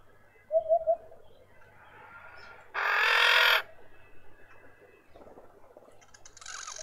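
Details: A female red-winged starling with an injured or deformed beak in a suburban garden in Pretoria, South Africa, gives a quick run of three low, mellow whistled notes, then a loud burst of rushing, hissy noise.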